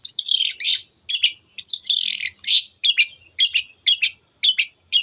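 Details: Long-tailed shrike in full 'teot teot' song, used to stir other birds into emotion and song: dense, harsh, scratchy bursts, each under a second, repeated with short gaps and no background noise.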